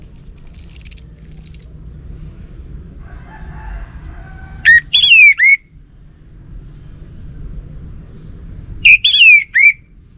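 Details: Orange-headed thrush, a kept songbird, singing: a high whistled phrase at the start, then two sharp bright phrases that slide down and stutter, separated by quiet pauses, with a soft low hum behind.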